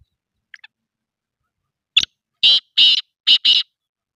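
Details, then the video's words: A black pheasant calls, opening with a few tiny clicks, then a sharp snap and four harsh, noisy bursts in quick succession, the last two close together, against a silent background. "Black pheasant call"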